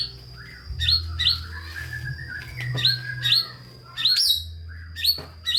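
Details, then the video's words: White-rumped shama singing to spur lazy shamas: sharp separate upslurred whistled notes repeated at irregular intervals, with a faint steady high tone and low background hum. "Murai Batu GACOR Full ISIAN‼️ COCOK untuk Pancingan Murai Malas Bunyi dan Kurang Emosi"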